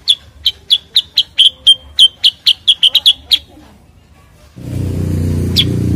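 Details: Common Iora (cucak kurincang): a rapid, even series of sharp high chips for over three seconds, a short pause, then loud broadband noise with one more chip.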